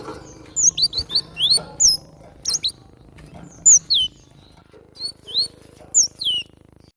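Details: Energetic song of a wild cinereous tit: scattered sharp, down-slurred high whistles, some in pairs, some spaced apart, against a steady low background hum.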